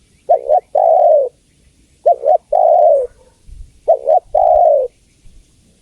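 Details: Spotted dove hen calling the male, three even phrases of a doubled short hoot and a long descending coo, with a faint low rustle or thump between the second and third.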